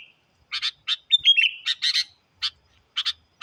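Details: Sooty-headed bulbul in an energetic lure recording meant to challenge wild birds: short harsh buzzy chatter notes in pairs and triplets, broken by a brief run of clear slurred whistles dropping in pitch; nothing else heard.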